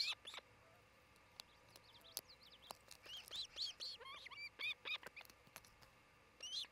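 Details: Nesting osprey pair in Charlo, Montana, 27 June 2018, near midday; rapid high whistled chirps in uneven bursts over a steady background hiss, with a few sharp ticks.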